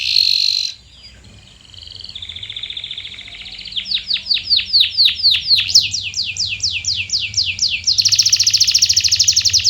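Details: Canary singing to encourage silent canaries: a burst of buzzy notes, a soft rolling trill, rapid chopped syllables rising in loudness, then a loud sustained buzzy trill.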